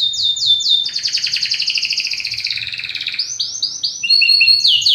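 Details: Belgian canary giving a very powerful song: rapid rising whistled notes repeated several times a second, then long rolling buzzy trills sliding downward, ending in fresh bursts of quick high upsweeps; faint low hum beneath.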